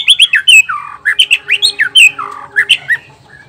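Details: Male white-rumped shama of the Nias black-tailed form, its song used to goad other males: loud, harsh, rapidly repeated squeaky notes that mostly fall in pitch, over a faint steady hum.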